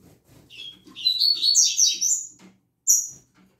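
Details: Morning song from a kept double-collared seedeater, one of several belonging to the keeper: a fast jumble of warbled, buzzy notes sweeping high for about two seconds, then a sharp high chip, with faint room knocks below.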